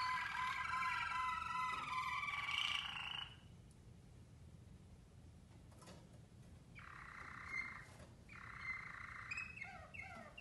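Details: Waterslager canaries of Mateos bloodline, heard in a group of four during song training, sing a rich, bubbling, water-like roll for about three seconds. After a pause come two more sustained gurgling trills, over a faint background hum.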